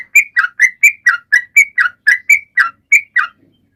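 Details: Sooty-headed bulbul in lively song played to prompt silent birds: about a dozen clear, slurred whistles, spaced evenly, then the singing stops.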